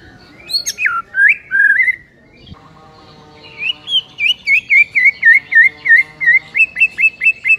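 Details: White-rumped shama singing in the morning: a few loud swooping whistles, a pause, then a rapid run of repeated looping whistled notes, about three per second, holding steady in pitch.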